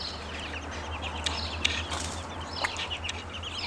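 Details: Ducklings that have grown peep steadily when hungry, with short high chirps tumbling over each other, a few sharp clicks and a low background hum.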